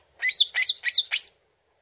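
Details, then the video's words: Greater green leafbird lure sound: four harsh, buzzy, broadband bursts in quick succession, each rich and grating, ending in a thin high whistle. "CUCAK IJO LANGSUNG NYAUT DENGAR PANCINGAN INI"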